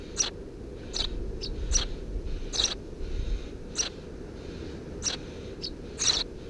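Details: Three Eurasian tree sparrow nestlings in a nest under a house roof, June 2017, chirp busily with short high notes, some clustered in pairs, around once a second over low-frequency background hum.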